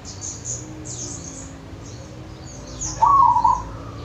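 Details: Wild local zebra dove from the countryside of Wonogiri: a single short trilled, purring coo phrase near the end, preceded by faint high chirps of other small birds over a steady background hiss.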